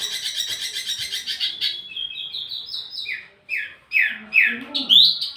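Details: Wambi mini as lure and master audio for tledekan birds: a dense buzzy trill, then a few loud slurred downward whistles.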